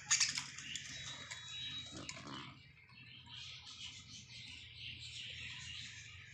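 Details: Baby budgerigar giving a loud burst of harsh, raspy chirps with a short steady whistled note, then a softer run of buzzy, scratchy chattering. Low room hum sits underneath throughout.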